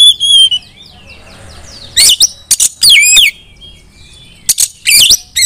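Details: A female Oriental magpie-robin, calling to make other magpie-robins sing and shriek, opens with soft descending whistles, then gives spaced bursts of scratchy, looping chirps.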